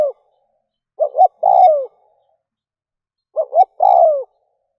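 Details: Spotted dove used as a decoy to provoke wild doves into responding. Two low cooing phrases about two and a half seconds apart, each with two short quick coos followed by a longer, drawn-out coo that falls in pitch. Quiet background.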